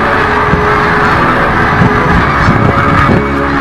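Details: Snow geese on spring migration in 2017: a dense, unbroken clamor of many overlapping nasal honks forming a steady roar, with no pauses throughout.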